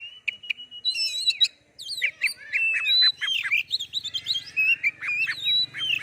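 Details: Oriental magpie-robin, kacer, in lively gacor song used as a training lure to provoke other birds to sing: a long held whistle, then a rich, varied run of whistles, rising and falling slurs and buzzy trills, nearly continuous.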